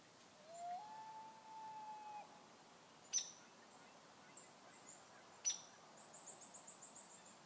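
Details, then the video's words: Loon calling in the morning mist: a faint, drawn-out wail that rises, then holds a steady pitch for about two seconds, followed by sharp clicks and soft high chirps. "Loons in the Mist...."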